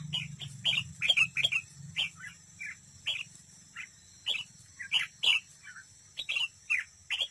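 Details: Red-whiskered bulbul used as a decoy bird, singing competitively at a trap: a busy run of short, bright chirped and warbled phrases, closely spaced, with a low engine-like hum at the start.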